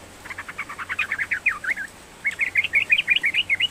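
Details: Lively yellow-vented bulbul song used to encourage a quiet bulbul: a fast stuttering run of chirps that ends in wavering notes, then a second phrase of bouncy, rising-and-falling whistled notes.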